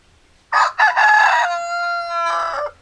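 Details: Rooster crowing: a single loud, harsh crow opening with two short choppy bursts, then a long sustained harmonic note that drops lower and fades at the end, lasting about two seconds over a quiet background.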